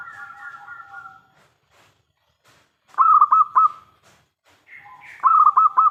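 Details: Big-voiced local zebra dove singing as a lure for other doves: soft layered whistled tones, a quiet gap, then two loud stuttering phrases of four quick coos.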